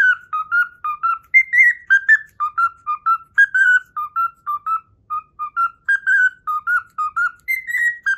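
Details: Pet cockatiel whistling its learned Pythagora Switch opening theme loudly and cleanly, a fast, even stream of short whistled notes hopping between pitches, with occasional higher slurred notes and no background noise.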